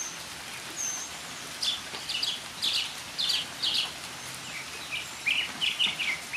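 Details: Northern mockingbird singing in the rain: clear whistled and chirpy phrases, high and varied, given in quick bursts of two to three repeated notes, with a steady hiss of rain behind.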